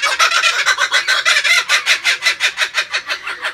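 Kookaburra laughing: a fast, rollicking run of harsh, chuckling notes, about six a second, coarse and full-throated, rising and falling in loudness throughout.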